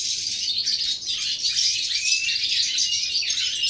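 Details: Rapid, high, liquid twittering of a European goldfinch, recorded 11 September 2018, a steady stream of tinkling notes with a few short thin whistles.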